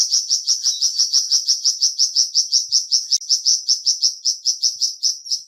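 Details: Continuous flamboyan bird song: an unbroken series of shrill, high chirps, repeated roughly three per second throughout with steady loudness.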